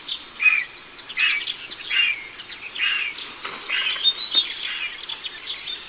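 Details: Griffon vulture, an Iberian bird, giving harsh, hoarse bursts roughly every second or less, broad and rasping, with thin high chirps of small birds scattered over a steady natural background hiss.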